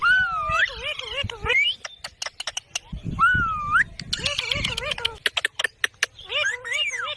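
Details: Green pet parrot talking with looping, wavy harmonic phrases that rise and fall, interspersed with sharp clicks and short bursts of noisy chatter.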